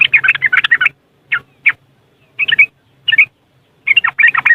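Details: Yellow-vented bulbul, West Java, Indonesia, ngriwik song as a lure for caged birds, phone recording: a quick chattering burst, scattered short warbled notes with gaps, then another rapid bubbly burst.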